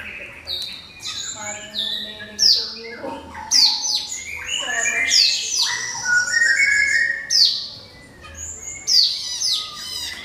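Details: Orange-headed thrush song meant to spur other birds to sing, loud downward-sweeping whistles repeated every second or two, mixed with varied warbling and chatter.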